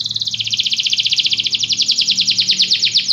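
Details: Canary song to inspire a canary to sing: a brief steady note, then a long fast trill of repeated descending sweeps, uniform and rhythmic.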